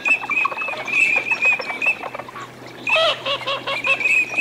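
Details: Courting Eurasian teal on a winter wetland in Aiguamolls de l'Empordà, Spain, 25 December 2015: a run of rapid high whistled notes with busy chattering from several birds and a louder burst near the end.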